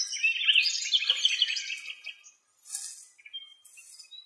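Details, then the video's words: A common nightingale, recorded in Greece, sings a rich, high two-second phrase with a quick run of repeated sharp notes, then falls silent over faint hissy background noise. "Αηδόνια Κελάηδημα"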